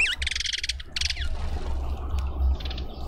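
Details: Cape white-eye at a suburban garden feeder in Pretoria, South Africa, hungry and coming back repeatedly: an opening wavering whistle, then two dense buzzy rattling bursts and faint high ticks, with a low hum underneath.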